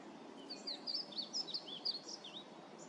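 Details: Painted bunting singing a quick, jumbled warble of high, sweet slurred notes that runs through the whole stretch over a soft steady background hiss.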